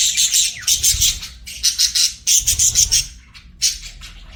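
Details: Several pet budgies chirp rapidly, giving bright, high, clipped notes in quick pulsed runs of three to five, separated by brief gaps, with faint low rumble beneath.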